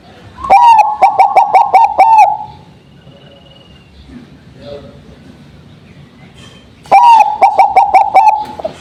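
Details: Zebra dove of the Bangkok type, singing after a morning dew airing and used to prompt other doves: two bursts of rapid, pulsed cooing notes, each about eight notes over two seconds, separated by a quiet gap with faint background sounds.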